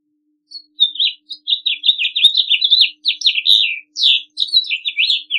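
A House Finch sings a long, rambling warble of bright, varied notes, jumbled and slurred, with a few buzzy notes at the end. No other sounds are heard.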